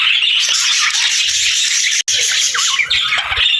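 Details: Several budgerigars chatter nonstop with high warbling chirps and rasping squawks layered over each other, broken by one sharp click near the middle.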